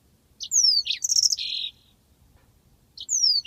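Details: Mozambique canary's rolling song from a master tutor track: sweet descending whistles and a buzzy high trill merging into a sustained warble, a short silence, then a new phrase starting with a falling whistle.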